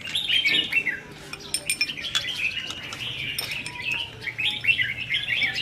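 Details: Caged red-whiskered bulbuls sparring in song at a practice contest, 15 May 2021: bright warbled phrases from several birds, with clinking sounds and faint voices nearby.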